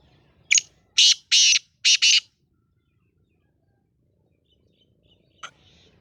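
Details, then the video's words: Black francolin, called Sindhi lal potiya or kala teetar, gives a full grating phrase: a sharp opening click, then four harsh buzzy notes, the last two close together. Silence follows, with a faint click later. "Sindhi lal potiya or kala teetar"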